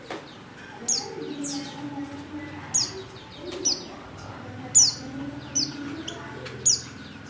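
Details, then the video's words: A female Oriental white-eye calls to lure males into singing, giving high, thin descending chips in loose groups, about seven notes in seven seconds, over soft low background sounds. "pancingan pleci betina paling ampuh,bikin pleci jantan ngalas"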